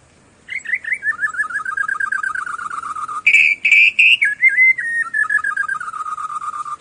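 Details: White-browed shama singing: a fast wavering whistled trill that slides slowly downward, then a brief burst of louder, higher, harsher notes, followed by another warbled whistle descending gradually in pitch.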